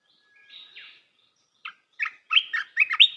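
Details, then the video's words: Red-whiskered bulbul, singing to train young birds: a soft slurred opening, a pause, then increasingly loud, cheerful warbled notes in quick separated bursts. "เสียงนกกรงตาแดงEp.168 เสียงหัดนกลูกเสอ เพลงเพราะ น่าฟัง"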